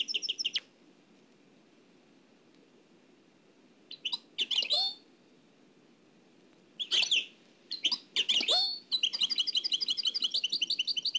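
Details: A nightingale singing Oued El Alleug style, transferred from an old cassette, gives short separated bursts of sharp, scratchy notes between silences, ending in a long rapid high trill.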